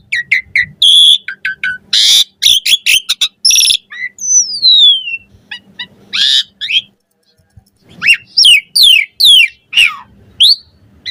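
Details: Asian pied starling song for training caged birds, with harsh noisy chatter, a long falling whistle, scattered chips and a closing series of loud squealing notes; low hum faint in the background.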